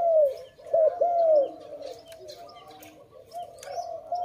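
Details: Dove recorded during bird trapping, later released: three clear arching coos in the first second and a half, then softer, fainter cooing beneath light background noise.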